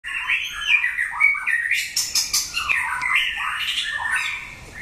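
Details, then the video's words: Wild-caught old white-rumped shama being trained for singing contests: a rich, fast run of varied warbled and whistled phrases, sliding up and down with short chattering notes between them. "Huấn luyện chòe lửa đấu hót (murai batu)"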